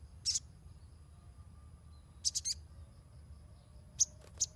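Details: Ruby-cheeked sunbird chattering to prompt untrained birds to sing: thin, piercing high notes, a single chirp, a rapid cluster of three, then two more spaced chirps near the end, with faint low background hum.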